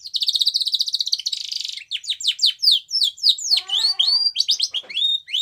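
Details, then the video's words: Song of a white Spanish Timbrado canary, used for training young canaries: a dense buzzy trill, then rapid downward-sweeping notes, rising whistled slurs and clipped metallic chips. "White Canary Singing / Spanish Timbrado song For Training"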